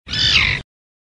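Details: Common tern (Sterna hirundo), call.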